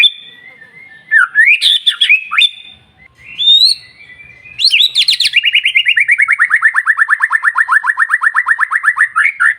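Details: White-rumped shama morning song, used to prompt other birds to answer: whistled rising notes and clicks, then a long rapid trill of repeated notes slowly falling in pitch.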